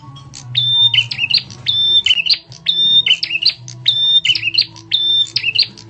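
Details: Loud lure call of a bar-winged prinia, used to draw other birds. Regular phrases of a piercing level whistle then a lower chattering burst repeat steadily, above a faint low hum.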